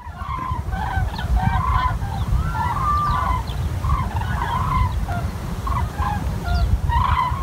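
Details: Common cranes near Wiesbaden-Auringen: a chorus of loud, overlapping trumpeting and honking calls from many birds, steady throughout, over a constant low rumble of wind or handling noise.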